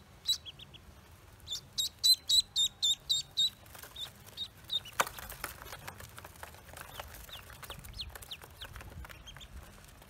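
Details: Newly hatched Pekin ducklings on a farm peep in a quick burst of high, clipped notes. The peeps then thin out into faint scattered calls among soft clicks and rustling.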